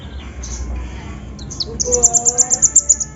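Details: Sunbird singing as a lure for a bird that rarely sings: a few high squeaks, then a quick, steady series of about ten sharp, piercing, ticking notes near the top of the range, over faint low hum.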